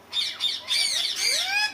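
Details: Parrot giving harsh, warbling squawks in three bursts, with looping slurred tones and a rising whistle near the end.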